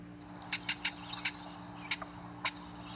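Female Red-winged Blackbird giving quick, dry chat notes, a rapid burst of five or so sharp clicks followed by a few spaced single chats; faint steady hum beneath.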